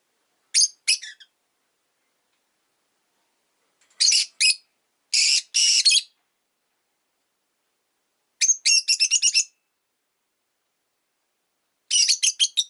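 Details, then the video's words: Pet rosy-faced lovebird chattering in spaced bursts of fast, shrill stuttering chirps, each burst a rapid string of sharp high notes, repeated about every three to four seconds. "Lovebird Chirping Sounds"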